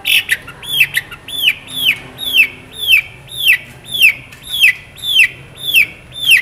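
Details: Long-tailed shrike singing vigorously, its song rich in fill notes. A steady series of clear, downward-slurred whistled notes repeats about twice per second, each arching briefly upward before falling, over a quiet background.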